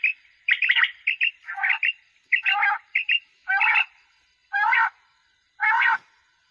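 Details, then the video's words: Common quail heard at night: paired short chirps at first, then several separate harsh, rasping bursts, each lasting under half a second and spaced roughly one second apart. No other sounds are present. "Quails sounds | night quail sounds | common quail sounds"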